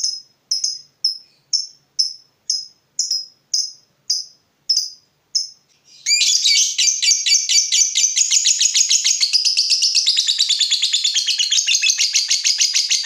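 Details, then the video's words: Lovebird of fighter type, stirred up on seeing a rival bird: evenly spaced high, clipped chirps for six seconds, breaking into a long, loud stream of fast, harsh trilling chatter. "Terpancing Emosi Begitu Lihat Lawan, Lovebird Fighter ini Langsung Narung"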